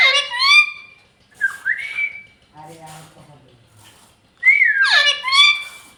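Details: Pet parrot indoors, said to say bye at the end: bright whistled phrases that rise and fall in quick slides, a quiet low murmur in the middle, then another loud burst of looping whistles.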